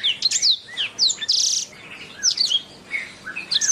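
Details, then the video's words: Canary singing a training master song. Quick high chirps and swept whistles lead into a dense buzzy trill, then more scattered, bright, slurred notes. "Masteran Suara Kenari"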